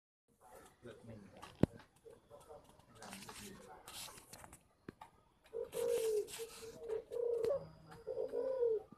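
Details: Spotted dove kept at a bird farm in Ba Vì, Hanoi, Vietnam, giving low mellow cooing phrases, three drawn-out tonal coos in the final seconds, after a stretch of people talking, clicks and handling noise.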